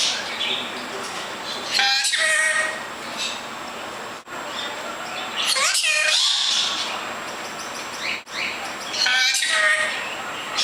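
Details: Pet bird talking and singing its own name: three separate bursts of scratchy, speech-like syllables with bright whistled overtones, spaced about four seconds apart, with faint room hiss between them.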